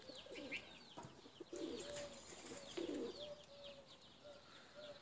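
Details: Tumbler pigeons kept for flying: low, hollow cooing notes swell between about one and a half and three seconds, while small birds chirp sharply and often in the background.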